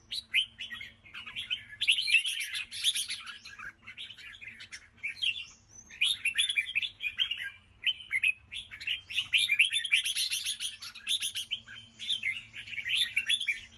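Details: Red-whiskered bulbul delivering its 'ché' song in two long, energetic bursts of tumbling, slurred chirps separated by a brief lull, the notes bright and rapidly varied, with a soft low hum throughout.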